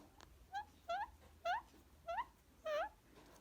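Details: Pet male green Indian ringneck parakeet indoors, being cuddled and petted while feisty and nipping; five short, rising, nasal chirps spaced about half a second apart, each slightly upswept, over quiet room hum.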